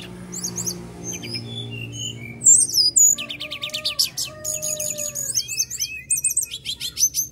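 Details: Captive magpie-robin in loud, busy song, used to prompt caged birds to sing: scattered high whistles and slurred notes, then dense rattling trills, chattering bursts and sharp chips, with a steady low hum behind.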